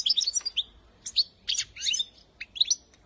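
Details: Goldfinch singing quick, tinkling twitters in short bright bursts, high-pitched and liquid, with brief pauses between phrases; the song is played to train young goldfinches to sing.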